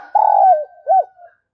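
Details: Decoy spotted dove cooing to draw in wild doves: one long, steady, husky coo that slides down at its end, then a short arched coo and a faint trailing note, with no other sound.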